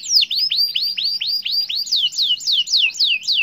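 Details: Canary singing in continuous 'gacor' style, used to get other canaries to join in: loud, high, swooping whistled syllables, each dropping steeply in pitch, repeated rapidly in even series, then looping notes rising and falling, against a quiet background.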